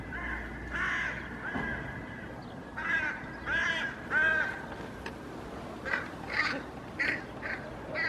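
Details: In a Helsinki park on 8 May 2024, hooded crows mob a common raven holding parts of a feral pigeon. Grating, arched caws sound in uneven runs, some drawn out, others clipped.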